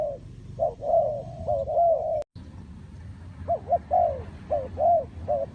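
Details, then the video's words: Spotted dove connected with decoy trapping, cooing in soft hollow phrases; a brief cut interrupts midway, then quicker clipped coos and longer drawn notes resume over faint low background hum. "The Sound Of Spotted Dove"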